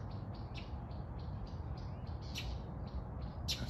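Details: In the morning in August, a Northern Mockingbird, annoyed at nearby peafowl, gives short, harsh chips, roughly two or three a second, over a heavy low rumble.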